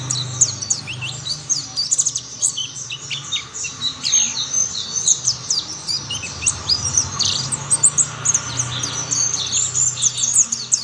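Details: A group of mountain white-eyes singing in chorus as more join: long stretch of dense, high-pitched chattering chirps and quick downward trills, steady and overlapping, with light low background noise.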